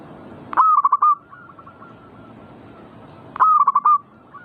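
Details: Zebra dove song, played to provoke other doves into singing: two loud cooing phrases about three seconds apart, each a sharp opening note followed by a quick stuttering run of mellow coos, with fainter similar cooing in between.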